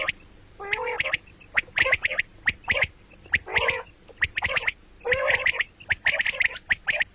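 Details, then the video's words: Calling of the common quail, heard morning and night: rapid bursts of short, sharp notes mixed with lower, harsher nasal phrases, repeated about every second. "batair ki awaz quil sound beautiful morning and night بٹیروں کی سپیشل زبردست آواز صبح رات"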